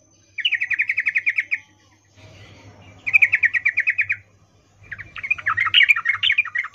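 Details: Sooty-headed bulbul female in breeding condition calling for a male with ngecuplik chatter. Two fast trills of sharp repeated notes are followed by a looser, more varied burst of jumbled chirps.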